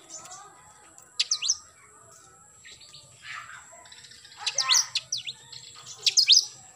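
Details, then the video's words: Oriental magpie-robin singing in the morning: sharp high whistled notes and quick down-slurred phrases come in bursts separated by pauses, with faint twittering between them. "KACER GACOR pagi hari nembak"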